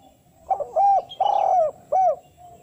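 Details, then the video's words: Spotted dove calling in a style used to lure wild doves and call females: a brief stuttered note, then three clear cooing phrases, the middle one long and sustained, over a faint steady background hum. "cocok dijadikan pancingan tekukur pikat"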